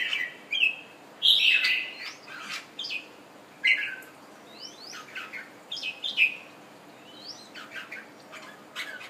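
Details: A kept red-whiskered bulbul from Thailand, just done moulting, delivers loud, sweet warbled phrases and sharp rising upslurred chirps, spaced a second or two apart.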